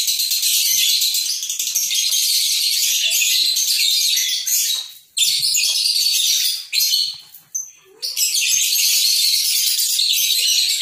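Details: Caged lovebird giving long ngekek trills with short pauses between them, a dense continuous high chattering buzz held for seconds at a time, broken by brief gaps.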